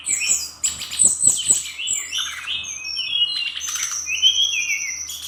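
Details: Brown-chested jungle flycatcher from Bali in energetic 'nratak' style, opening with dense rattling bursts, then sliding whistles and a long high steady note near the end, continuous and varied.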